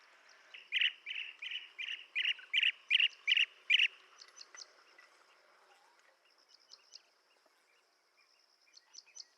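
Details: Blue-tailed bee-eater uttering a run of about ten loud, evenly spaced rolling chirps over three seconds, then only faint scattered notes and a thin steady high whine.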